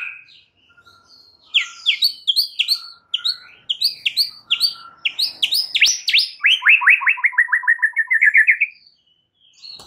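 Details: White-rumped shama singing, meant as training material for a stressed bird: rapid chains of sharp, ringing notes, speeding into a long accelerating trill of descending strokes that tails off lower before stopping.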